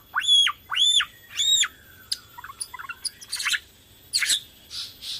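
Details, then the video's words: Borneo white-rumped shama lure song to stir other shamas to sing: three loud arched whistles rising then dropping steeply, followed by soft twittering notes and bursts of harsh high chatter. "PANCINGAN BORNEO GACOR SANGAT AMPUH UNTUK MERANGSANG BUNYI MURAI BATU LAIN"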